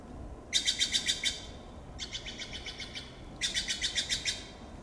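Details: Steller's jays calling to keep contact in Monterey pine forest, Del Monte Forest: three rapid bursts of five to seven harsh, grating notes, each burst about a second long, with short pauses between.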